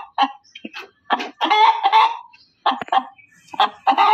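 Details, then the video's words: Loud hen cackle of rough, nasal, repeated notes, some drawn out and others clipped, in three main bursts with short gaps between. "SUARA AYAM BERKOKOK KERAS || suara ayam berkokok betina"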